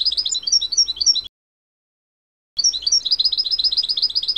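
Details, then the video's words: Goldfinch in natural-style song, 2024, for fledglings of the season: dense, fast twittering of bright high notes with occasional sharper chips, broken by a brief silence before a longer, unbroken bubbling run. "Chant naturel du chardonneret 2024 (1H) تغريد مقنين خلوي لفراخ موسم"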